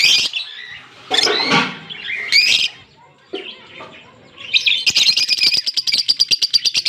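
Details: A pair of green Fischer's lovebirds, October 16, 2023, with shrill chirps and a harsh scratchy call, followed by fast continuous pulsed chattering.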